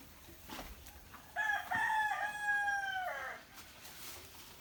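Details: Rooster crowing in the morning: a single loud, harmonic-rich crow of about two seconds, rising then holding and falling away at the end, with faint bird calls before it.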